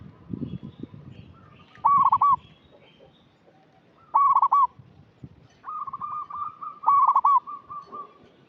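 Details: Local zebra dove used for luring wild birds, repeating a loud, bright trilled coo about every two and a half seconds, with a longer soft coo run and low rumbling background noise.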